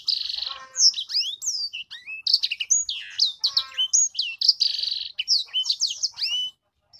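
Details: Sanger hobby bird in full song: buzzy trills mixed with clear rising and falling whistled phrases, delivered fast and varied, loud throughout before stopping abruptly near the end.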